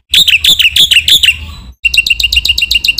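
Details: Black-winged myna masteran recording, sung vigorously to rouse other mynas: five loud descending whistled notes fading into quiet, then after a break a quick run of short bright chirps.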